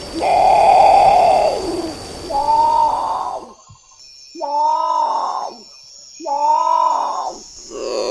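Great Potoo giving four hoarse, groaning growls, each about a second long and spaced roughly two seconds apart, over a faint insect-like hum.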